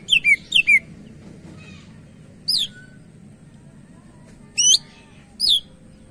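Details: Greater green leafbird in full voice, meant for luring other birds, sings crisp paired downslurred whistles, then isolated high sweeping notes and a rising hooked whistle, separated by short pauses; faint hum behind.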